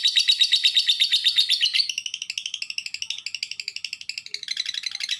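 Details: Lovebird sounding off to provoke other lovebirds into calling; a rapid high chatter that shifts after two seconds into choppier, jumping notes repeated quickly until the end.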